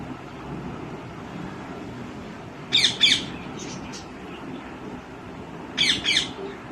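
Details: Green ringneck parrot calling: two pairs of short, harsh, high squawks about three seconds apart over a steady background hiss.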